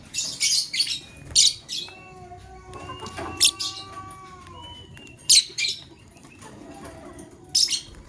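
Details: Male lovebird choosing a mate: bursts of shrill, scratchy chirps about every second or two, alternating with thin, wavering whistled notes.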